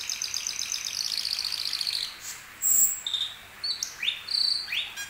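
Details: Asian glossy starling song: a rapid, rattling high trill for about two seconds, then a loud piercing whistle and several sharp upslurred and downslurred whistles.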